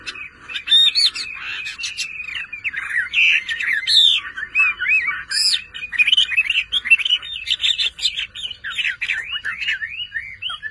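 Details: Hobby-kept Chinese hwamei in full song, pouring out a rich, rambling stream of looping whistles and slurred notes, some phrases sweeping high, with quick chattering bits mixed in.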